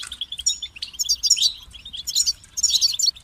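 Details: European goldfinch song for training: quick sequences of clear, liquid twitters and ringing trills, three short bursts within a few seconds, low hum beneath.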